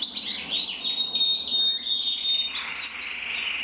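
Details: Male red-black canaries, one intensive, one frosted, singing as a duo: a steady high piping tone under rolling trills, then a burst of dense, buzzy chatter near the end.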